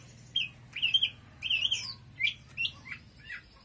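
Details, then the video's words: Oriental magpie-robin giving clear, warbled whistles, then a run of short rising and falling notes repeated about every half second, over a low steady hum. "Choè than hót cực khủng"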